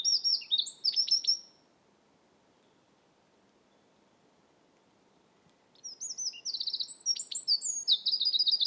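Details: Eurasian wren singing in Estonia: rapid, loud, very high trilled phrases of sharp notes and buzzy rattles, a burst of about one and a half seconds, a long silent pause, then a longer run of the same tumbling trills.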